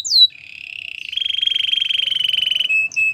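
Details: Belgian singing canary opening with a sharp descending whistle, then a long, even, vibrating roll held for over two seconds, finished with short level whistles.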